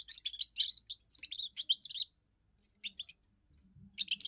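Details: First song of a young European goldfinch, sung to claim territory and attract females: rapid chattering twitters and liquid trills for two seconds, a pause, then short bright bursts; a low hum underneath.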